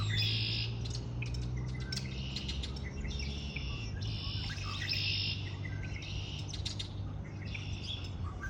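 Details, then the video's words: Spring birdsong: loud, buzzy, high trilled phrases of about half a second, repeated about every second, mixed with rapid ticks, over a steady low drone. "آوای آرامش بخش پرندگان در بهار"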